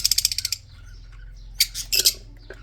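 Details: Captive red-eyed budgerigars in a breeding colony: a quick run of about eight sharp, scratchy chirps, then a pause and a few harsher broadband chirps near the end.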